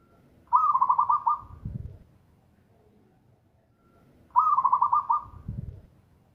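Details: Zebra dove, local type, singing loudly: two trilled cooing phrases about four seconds apart, each followed by a dull low knock.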